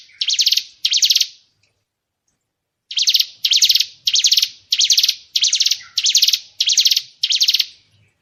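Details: Murai batu, the white-rumped shama, singing tembakan shot phrases for training other songbirds: two high chattering bursts, a silent stretch of over a second, then seven evenly spaced bursts in steady succession.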